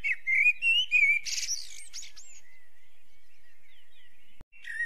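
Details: A Eurasian blackbird sings a smooth, rising fluted phrase, then a burst of shrill squeaky twittering, then long quiet before a new phrase begins.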